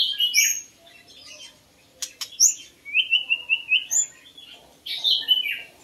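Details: Song of a white-rumped shama, Copsychus malabaricus, used for luring birds: clear high whistles, then a long flowing run of slurred notes in the middle, a click, and a closing falling phrase.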